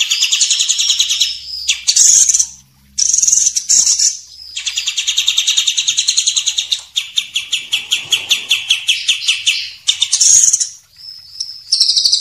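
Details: Masteran tutoring song from a champion white-rumped shama and a speckled juvenile: continuous loud high phrases, rich warbled passages giving way to rapid pulsed trills, short whistled bursts between them, pauses of under a second.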